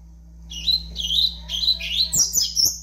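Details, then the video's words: Young double-collared seedeater, five months old, singing short high warbled phrases that rise and fall, ending in a quicker run of sharp chirps; steady low electrical hum underneath. "FILHOTE DE COLEIRO AVAX 5 MESES DE VIDA"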